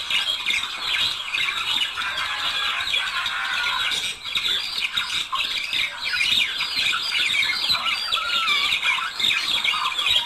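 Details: Budgerigar couple chattering to stimulate singing and mating: long continuous warble of gritty notes, chirps and rising whistles, loud and unbroken throughout.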